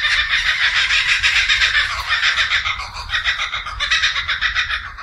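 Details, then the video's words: Kookaburra laughing loudly and distinctively, a continuous rapid stream of harsh, chuckling notes rising and falling in waves throughout, with low background rumble. "The Kookaburra"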